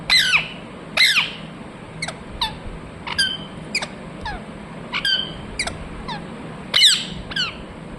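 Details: A parrot said to be chattering "mithu mithu": many brief, sharp squawks and clipped squeaks in uneven bursts, loud at first, then lighter, with a steady background hiss.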